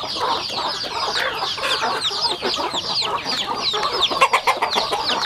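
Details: Flock of rural chickens at feeding time: many thin, falling peeps crowd over one another continuously, with faint tapping of beaks in the background.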